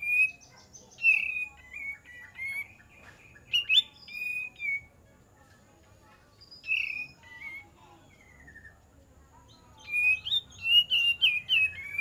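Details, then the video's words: Lure song of an olive-winged bulbul: bursts of slurred whistled phrases separated by quiet gaps, ending in a dense, tumbling run of notes. "PANCINGAN KAPAS TEMBAK DIJAMIN NYAUT"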